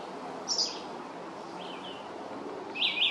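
Red-eyed Vireo singing short, slurred high phrases, each broken off by a pause of about a second, over a steady hiss of background noise.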